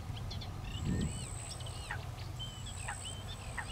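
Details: Common pochard ducklings feeding under a watchful mother. Thin, downslurred peeps come scattered through the clip, with a few wavering notes. A steady high-pitched whine runs underneath, along with low background rumble.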